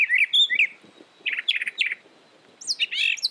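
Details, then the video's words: Brown thrasher song in short chirping phrases, some notes repeated, with pauses between, over low background rustle. "Brown Thrasher Bird Sound, Bird Song, Bird Call"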